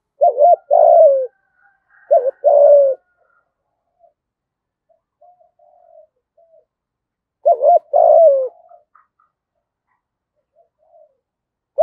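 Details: Decoy spotted dove luring wild doves, repeating its coo phrase three times: stuttered short notes, then a drawn-out falling coo, with faint soft murmurs between phrases.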